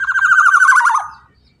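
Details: Black-naped oriole, locally kepodang emas, recorded as a lure to prompt other birds into singing: one loud, buzzy, harmonic-rich note held about a second at mid pitch, wavering slightly before fading out in quiet surroundings.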